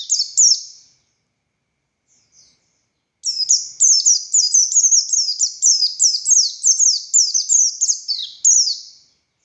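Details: Ngalas-style song of a buxtoni Oriental white-eye: a couple of high falling whistles, a pause of about two seconds, then a long rapid string of thin downslurred notes.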